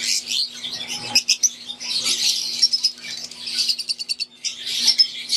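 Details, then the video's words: Fischer's lovebirds, wild-type green and Euwing, chatter together in an aviary: high, rapid, clicking chirps and squeaky twitters, overlapping throughout, with a low background hum. "Wild type Fischer green & Euwing | Relaxing Sound | Birds Chirping"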